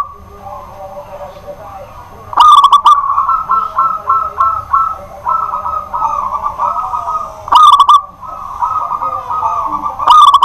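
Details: Local zebra dove (perkutut lokal), a kept songbird, singing at night: a run of rapid, rhythmic mid-pitched cooing notes, broken three times by loud, sharp bursts, with a faint low rumble beneath.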